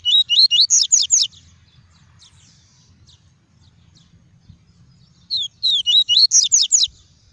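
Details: Caged double-collared seedeater singing the pure tuí tuí song style, used to warm up and stimulate other seedeaters: a quick burst of about seven high, bright, up-and-down whistled notes, a pause of about four seconds, then the same phrase again.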